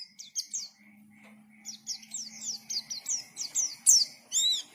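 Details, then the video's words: White-eye song in the ngalas style, fairly soft, with separate high swept chirps quickening toward the end, over a faint low hum. "KICAUAN BURUNG PLECI GACOR NGALAS"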